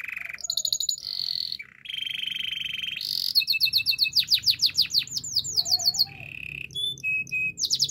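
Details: Canary singing a varied song: a high whistled note, buzzy rolls, then fast runs of sharp descending notes repeated several times a second, ending in clear whistles and quick chirps.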